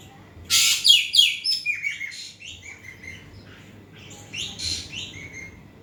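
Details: Asian pied starling singing vigorously, used to stir a quiet bird into song: a loud harsh chattering burst, then a rapid series of buzzy, chirping phrases about three per second, fading to softer scratchy notes.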